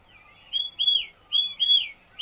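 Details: In the Himalayas of Himachal Pradesh, India, amid cherry orchards, a bird sings clear, high whistled phrases, each a pair of arched, slurred notes, repeated twice with short pauses between.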